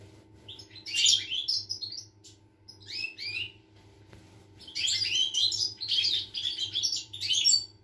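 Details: European goldfinch song dated 25 August 2021: rapid, liquid twittering phrases mixing buzzy trills and sweet whistled notes, a brief pause, then a longer rambling tinkling stretch over a low steady hum.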